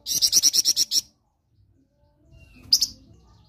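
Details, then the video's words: Flamboyan singing ngerok for a training master: a quick run of about eight loud, sharp chip-like pulses, then silence and a single short high burst near the end. "MASTERAN FLAMBOYAN NGEROK"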